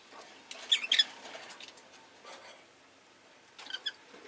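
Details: Sharp chirping from a pet rosy-faced lovebird: a quick cluster of two or three shrill notes early on and a softer pair toward the end, over a low rustling background.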